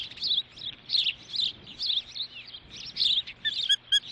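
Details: Ospreys at a nest at Dunrovin, Montana, morning of 9 June 2013, as the mother brings a stick and one bird displays dominance over another: a continuous stream of high, squeaky whistled chirps, some slurred downward, in uneven bursts.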